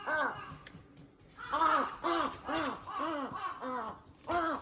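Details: Crows calling noisily in the early morning: one harsh, arched caw, a short pause, then a run of about seven loud, evenly spaced caws, each a hoarse downward-curving note.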